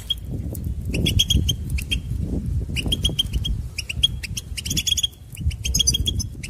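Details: Goldfinch song meant to motivate singers in training: bursts of sharp twittering chirps separated by brief gaps, the phrases repeating steadily against a low background drone.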